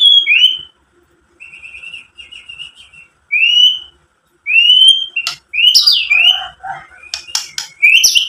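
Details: Song of a white-rumped shama, used as a lure to stir rival shamas to sing; a series of pure rising whistled phrases followed by a busier stretch of harsh notes, chatters and varied whistles.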